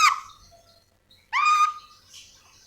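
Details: Calling yellow-and-green lorikeet from Sulawesi gives two separate nasal, harmonic squawks that slide downward, with a quiet pause between them.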